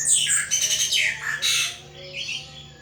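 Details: Pet anis thrush kept in a cage, delivering ngeplong song: loud rasping, squawky bursts sweeping down and up in pitch, fading into softer high warbles, with a constant low hum behind.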